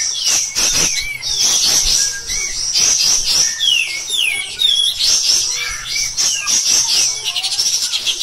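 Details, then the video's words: Cotton pygmy goose giving a nonstop stream of sharp, high, shrill chirps and quick upslurred whistles, tightly packed and harsh in tone; the sound is used as a master song for training other songbirds. "KAPAS TEMBAK EDAN GACOR | MBESET NEMBAK NGOTOT Kasar"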